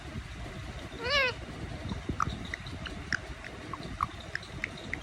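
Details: Indian ringneck parakeet giving one rising-falling cat-like meow, followed by scattered soft chirps and clicks.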